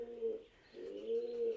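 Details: Pigeons cooing loudly inside the 11th-century Khmer temple Prasat Phimai, Phimai Historical Park, Nakhon Ratchasima, Thailand, 2023: low throaty hums swelling and fading in an echoing enclosed space.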